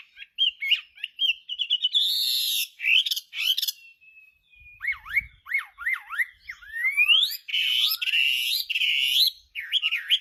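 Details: Singing Chinese hwamei, varied phrases mixing rising whistles, buzzy harsh bursts, a long thin sliding note, then rapid repeated sharp downslurred whistles and strong looping notes.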